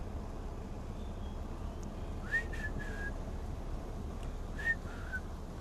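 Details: White-browed scrub robin heard at sunset in the Rietspruit Game Reserve, Lowveld, South Africa. A few short, clear whistled notes come in two brief bursts over a steady low rumble.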